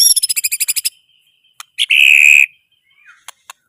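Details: White-rumped shama delivering a quick series of about eleven evenly spaced high clicking notes, a pause, then a harsh buzzy drawn-out note, followed by a few scattered soft ticks.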